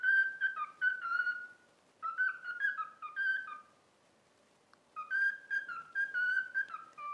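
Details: Cockatiel taught to sing 'If You're Happy and You Know It' whistles three phrases of bright, choppy notes rising and falling. Short silences separate the phrases, and a single soft click falls in the middle, indoors.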